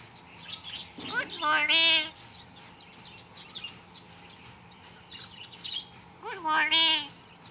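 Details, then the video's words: A talking myna says "Good morning" in two short speech-like phrases with rising harmonic tones, about five seconds apart, over a low background hum. "Talking Bird| Saying Good Morning"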